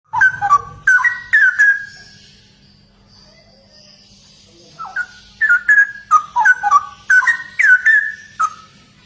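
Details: Straw-headed bulbul, a 'gacor' singer, delivering loud bubbling whistled phrases in two bursts separated by a quiet pause of about three seconds, rich gurgling notes rising and falling in quick succession; faint electrical hum underneath.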